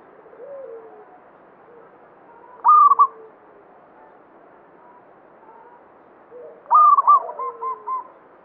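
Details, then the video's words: Local zebra dove (perkutut, banyumili type) singing often. Two loud phrases of rapid staccato coos, about four seconds apart; the second trails into a spaced run of four or five shorter coos. A quiet low murmur fills the gaps. "Perkutut lokal banyumili suara gacor"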